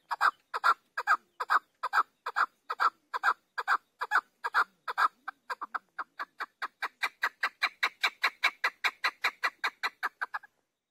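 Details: Chukar partridge calling: a long run of harsh, clucking notes, evenly spaced at first, then quickening and rising slightly in pitch into a rapid chatter, about forty notes in ten seconds, with a quiet background.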